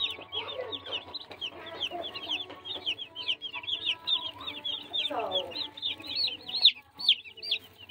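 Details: Baby chicks peeping in a constant chorus of high, short chirps, many overlapping and repeating rapidly, with lower rough murmurs and a faint steady hum beneath.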